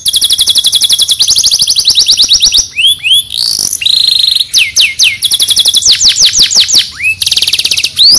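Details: Canary singing in Pemalang, Central Java, Indonesia, mixing rapid rattling trills, long steady high whistles and quick series of rising swept notes, loud and continuous throughout.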